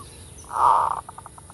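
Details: Brief zebra dove full kerot phrase used as a lure: a loud drawn-out rough note swelling and fading, then five quick evenly spaced staccato pulses.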